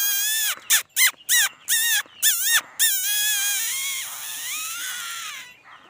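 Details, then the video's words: Laughingthrush song, praised as beautiful: a quick run of short, rich, arching notes, then longer drawn-out wavering phrases that rise and fall before fading out. "khướu hót noog sab hwj ntuaj zoo nkauj heev ນົກຖົວດຳງາມໆເກັ່ງໆ"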